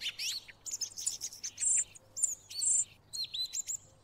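Song Thrush singing bright, varied phrases, some high and scratchy, with a few notes repeated in quick succession. A faint low hum lies underneath.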